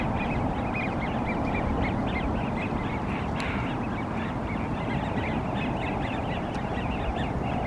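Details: Wigeon flock at Green Lake giving overlapping short whistles throughout, thin and repeated in quick succession, over a heavy low rumble of wind or traffic.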